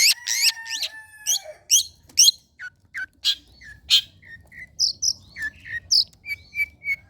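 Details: Long-tailed shrike singing, for use in training kept birds: loud, harsh buzzy notes open the phrase, then quieter scattered chips and short whistles, ending in several even whistled notes.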